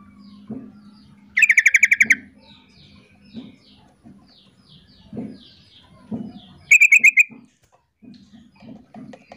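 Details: Sooty-headed bulbul female calling the male, the pair answering back and forth. Two rapid chattering bursts of pulsed notes over a steady low hum, with faint thin chirps and soft knocks between.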